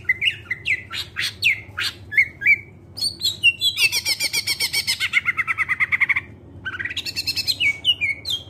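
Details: Greater green leafbird song used as a lure for other birds: sharp chipping and whistled notes, then a long fast buzzy run of pulsed notes, ending in more varied warbling, with steady low hum.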